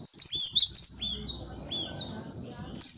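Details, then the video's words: Cinereous tit, locally gelatik batu or gelatik wingko, in a lure recording; a quick series of high, thin whistled notes, then a pause with faint softer notes over a low background hum, and one more high note. "Suara pikat.....!! kicau burung gelatik batu atau gelatik wingko gacorrr"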